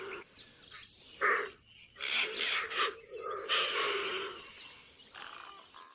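Hoatzins give harsh, wheezy rasps and hissing bursts, several overlapping over six seconds, with a few thin higher chirps mixed in.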